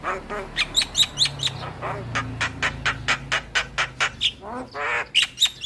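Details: Javan myna song played as a lure for other mynas: quick run of dry clicking, chattering notes about twice a second, mixed with short harsh squawks and a few bright whistles.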